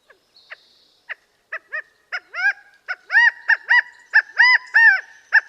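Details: California Quail, a flocking ground bird of open scrubby habitats, calling: a few scattered faint notes build into a loud run of arched, ringing notes grouped roughly in threes.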